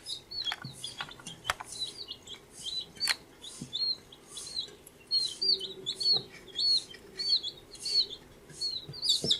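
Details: Fourteen-day-old baby chicks chirping: clear high arched peeps repeated rapidly, about one and a half per second, several birds overlapping, with sharp clicking taps and a faint low hum in the background.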